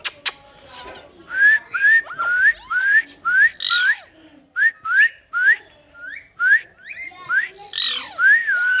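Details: A parrot gives a series of short whistled notes, each sliding upward then dipping, repeated about twice a second in loose bursts, with a few higher buzzy squeaks mixed in; indoors, no other animals.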